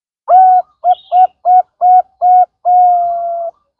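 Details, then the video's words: Zebra dove of the Bangkok type giving a lure song meant to set other birds singing; several brief evenly spaced coos followed by a drawn-out level final note, recorded clean without background noise. "pancingan perkutut Bangkok"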